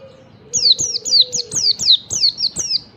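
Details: Morning song of a wild yellow-breasted Oriental white-eye, played to get other white-eyes singing; nine evenly spaced high chirps, each sliding sharply downward, over a faint low tone early on.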